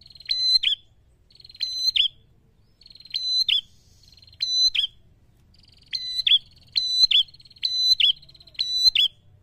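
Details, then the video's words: Prinia in ngalun-style song used to provoke rivals: eight loud, high trilled phrases, each a steady rattling tone closing with a sharp descending flick, repeated roughly every second in fast succession, faint low hum beneath. "Prenjak gacor ngalun ampuh memancing emosi lawan"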